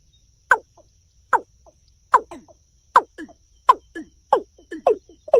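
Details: Watercock giving loud, dry, descending notes about every 0.8 seconds. Each note is trailed by a fainter, lower echo-like note.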